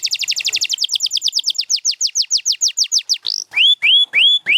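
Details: Singing canary, one of several champion birds including Gloster and Spanish Timbrado: a fast trill of repeated notes gradually slowing into spaced downslurs, then loud rising whistles at the end.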